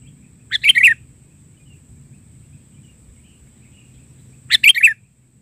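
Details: Sooty-headed bulbul in full vigorous song, a filler song of the sea-coast style: two short bubbly bursts of chirpy, warbled notes about four seconds apart, with a faint steady high hum in the background.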